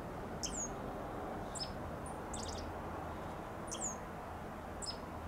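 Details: Dark-eyed junco chirping in a vibrant, blooming Bougainvillea vine: short, very high chips and downward-sweeping tweets, some in quick clusters, scattered through the clip over a steady low background hum.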